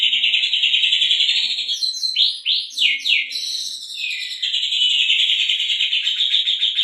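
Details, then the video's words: Oriental magpie-robin singing continuously with mimicked canary phrases, used as a lure for other birds: dense rapid chattering trills, brief swooping whistled slurs midway, loud and unbroken throughout. "KACERgacor isian KENARI buat pancingan"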